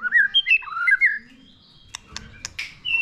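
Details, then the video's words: White-rumped shama, played to spur a newly caught bird into singing, giving a brief run of fluty rising and falling whistles, then a pause broken by sharp clicks and a buzzy note. "Video kích lửa dìu lửa cho chòe lửa bổi. kích chòe lửa căng lửa"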